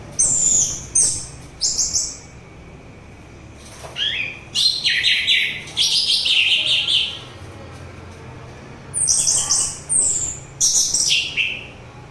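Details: Melodious orange-headed thrush song, used for therapy against fatigue and as a lure for other thrushes and birds: bursts of clear high whistles alternating with descending, slurred, slightly buzzy phrases, separated by short pauses over a quiet background.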